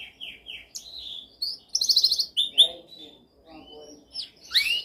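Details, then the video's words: Canary singing a dominant training song: varied phrases of descending whistled notes, a fast loud rattling trill, sharp chips and rising sweeps, separated by brief pauses in a quiet setting. "Canção mais dominante de canary para treinagem."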